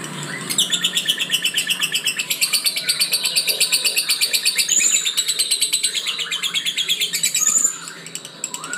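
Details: Lovebird giving an extended rattling chatter of fast, high buzzy pulses in steady rhythm, topped by occasional sharp whistled notes, ending in sparser ticks.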